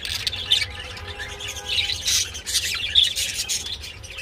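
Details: Budgerigars mating, giving scratchy chatter with sharp high squeaks every second or so over a low background hum.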